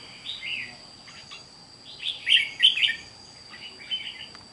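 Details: Caged red-whiskered bulbul, caught from the wild, on 8 June 2023: a soft warbled phrase, a pause, then a loud cluster of bright whistled and trilled notes mid-clip and a final short phrase, with a steady high-pitched hum.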